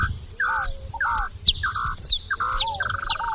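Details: Saffron finches at a feeder: sharp, high chirps alternate with harsher, buzzy lower notes in quick succession, with no clear pauses.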